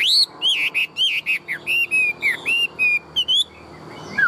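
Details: Caged tame Chinese hwamei, a large bird sold as a strong singer and fighter, singing a run of loud, clear whistled notes, many slurred upward or downward, repeated rapidly in a varied phrase.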